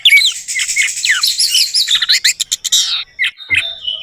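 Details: Orange-headed thrush singing as a lure for a silent bird: busy, high warbling with wavering whistles and chatter, ending in a run of sharp clipped notes, a brief gap, and a few soft whistles.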